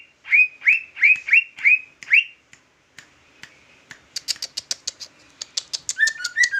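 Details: Jumbo leafbird in trucukan-style song: six loud rising whistles in quick succession, a pause with faint clicks, then a long run of sharp high ticks ending in short slurred whistles.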